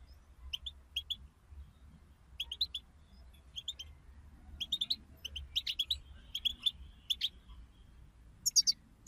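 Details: Stimulation chatter of European goldfinches, a group bitbita for pet birds: scattered high chirps in pairs and triplets, growing busier midway, ending with a bright twittering burst over faint low background hum.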